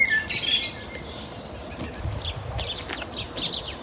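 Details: A busy flock of house sparrows, some recently fledged young, chirps short bright overlapping chips across four seconds, with a man talking and low rumble, on an early June morning at Mill Road Cemetery, Cambridge.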